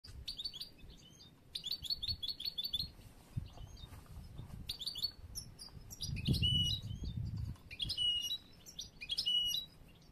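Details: Young European goldfinch of the bruno amarillo mutation, hatched late this year and still in song training for contests, its song immature: bursts of rapid high twittering phrases separated by short pauses, with low background rumble and some handling noise.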